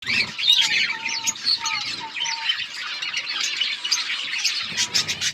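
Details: Budgerigars of varied colours chirping together: a dense, continuous chatter of warbled, buzzy notes with short whistled glides, many birds overlapping throughout.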